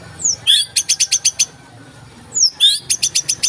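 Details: White-rumped shama, recorded from a real bird as a training recording of aggressive 'tembakan' rapid-fire song: high slurred whistles sweeping down, then a fast burst of six sharp repeated notes, the whole phrase given twice with a pause between.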